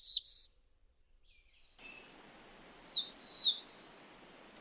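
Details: Black-throated Blue Warbler song: a brief high note, then a few lazy, buzzy high notes, each slurring upward in a rising buzzy trill, the last climbing highest; faint background hiss.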